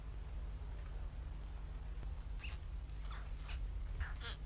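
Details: White stork nestlings calling for food at Ustroń in mid-May 2019 with the mother gone since early morning and poor weather; faint at first, then several brief high descending squeaks in the last two seconds above a constant low hum.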